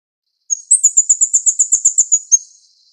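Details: Plain Flowerpecker in Taiwan, feeding its chicks, gives a very high, thin run of about a dozen quick ticking notes, roughly seven a second, against a quiet background.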